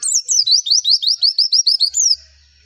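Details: Rapid string of bright, downslurred whistled chirps from a Javan white-eye (pleci), a lure song meant to make other birds answer, about a dozen notes in two seconds.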